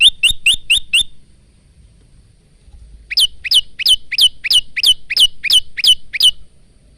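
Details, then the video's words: Male bar-winged prinia in energetic song, recorded on a phone as tutor material for caged prinias: five rapid chirps, a two-second lull, then ten louder sweeping notes repeated about three per second. "masteran handal burung prenjak lumut"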